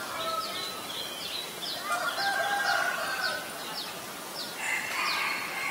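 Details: Common Myna recorded in Ubon Ratchathani, Thailand, on May 3, 2022 with a Nikon P1000: a harsh, grating, buzzy phrase mid-clip and another near the end, with thin high down-slurred chirps from other birds throughout.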